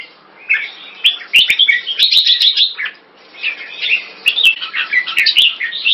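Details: Red-whiskered bulbul (jambul), the winner of a singing competition in Singapore, gives bursts of lively, slurred chirping phrases separated by brief pauses, with several crisp clicks in the background.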